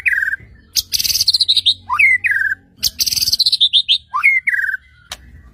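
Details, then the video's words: White-rumped shama singing to provoke other shamas: two phrases of loud buzzy rattle sliding into a rising whistle and a falling slurred note, followed by a sharp click. "murai batu gacor AMPUH untuk PANCINGAN murai batu agar bunyi JADIKAN burung murai gacor EMOSI NYAUT"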